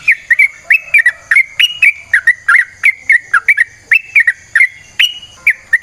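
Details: Yellow-vented bulbul in lively, long-running 'ropel panjang' song used as a lure: a steady stream of short, bubbly whistled notes rising and falling, delivered several per second without a break.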